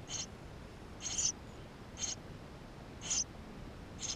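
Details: Eurasian tree sparrow nestlings calling from inside the nest, GoPro, 28 May 2016: five shrill, slightly buzzy peeps, some doubled, spaced about one second apart.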